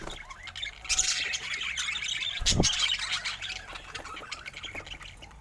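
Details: Budgerigars chatter in a steady, high, twittering stream of overlapping chirps, with one louder squawk near the middle.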